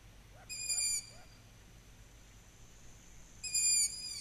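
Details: Young long-eared owl in July 2020, heard in the evening and whistling to call its parents to feed it: two high, squeaky, drawn-out whistles like a creaking gate, about three seconds apart, over a faint hiss.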